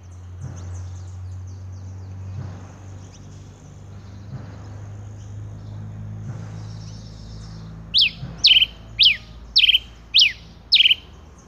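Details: Rufous-collared sparrow, a male tico-tico rei, silent at first over steady low hum, then delivers a run of six crisp, high, downward-sweeping chirps spaced about half a second apart.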